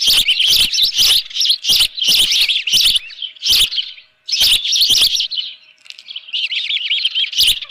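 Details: At the Dunrovin Ranch nest on a June 2018 morning, an osprey holding a live fish gives dense, high, squeaky chirps in fast clustered series, with brief pauses and a few sharp clicking noises.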